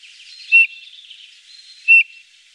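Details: Eurasian bullfinch giving two short, soft piping whistles about a second and a half apart over a faint hiss of background noise.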